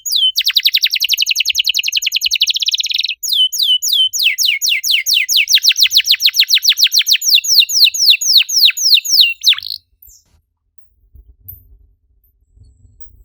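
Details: Canary singing to prompt other canaries: a fast rattling trill, then a long run of rhythmic down-slurred whistled notes lasting about ten seconds before fading into quiet with faint knocks.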